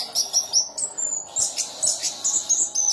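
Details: Orange-headed thrush, a national champion bird with special song fill, delivering a dense, high-pitched run of quick chirps and short whistles, almost without pause, over a background hiss.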